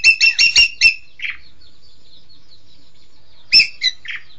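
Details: Green magpie, local name engkek keling, with a quick burst of five rasping squawks, a softer trailing note, a long silence, then two more harsh notes and a short buzzy call.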